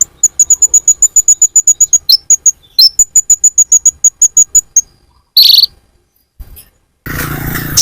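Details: Purple-throated sunbird (kolibri ninja) lure call for attracting birds: rapid, very high, thin chips repeated about six per second in steady runs, with a few upslurred notes, then brief pauses and a burst of harsh noise at the end.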